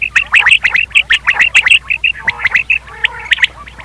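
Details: Quail call used for hunting, made of quick runs of short, sharp, high notes about twice a second, sometimes in pairs. Softer lower chatter comes near the end.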